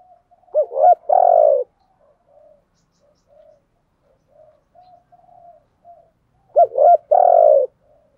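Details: Spotted dove serving as a luring decoy, repeating its cooing phrase twice about six seconds apart: two quick, hiccuping low notes, then a long, steady, falling coo. Soft faint murmurs fill the gaps.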